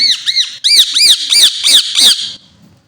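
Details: Indian ringneck parakeet pair, presented as talking birds, giving loud, shrill arched squawks repeated about every third of a second, seven notes in a fast series before falling quiet.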